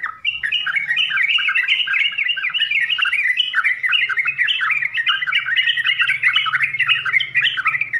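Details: Sooty-headed bulbul, or trucukan, pouring out a long unbroken stream of jumbled warbling and chuckling notes, fast and varied, with a faint low hum behind.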